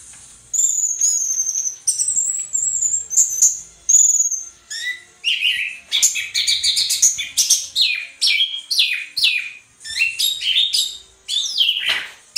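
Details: Gacor teler singing by an Orange-headed thrush, meant for training caged birds: high thin whistled notes at first, then a long, fast sequence of sharp, sweeping chirps and trills, each phrase rising and falling quickly.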